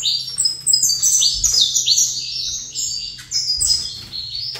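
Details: High-pitched, hurried song of a caged saffron finch positioned facing another saffron finch: overlapping bright slurred chirps stepping downward in quick succession, nearly continuous, with a low background hum.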